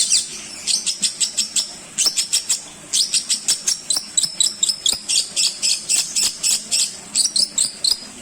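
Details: Long-tailed shrike song played to train other songbirds: long, rhythmic series of rapid, high chipping notes, about three per second, running almost without a break.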